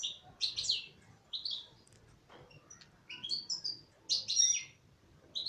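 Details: Female European goldfinch from a captive bird, singing rapid jingling twitters and buzzy trills in clustered bursts separated by short gaps, with a quiet background.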